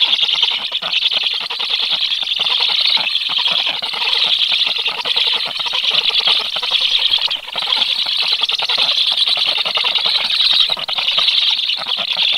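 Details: Nestling black storks begging as an unfamiliar adult stork moves around the nest, 13 July, 12:34, though no feeding follows; steady, busy high-pitched chirping and squeaking runs throughout with only brief dips.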